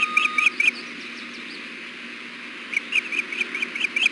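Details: Nesting female osprey fussing for food on a hot June afternoon: a few sharp high chirps, a long pause, then another short run of whistled notes over a constant background hum.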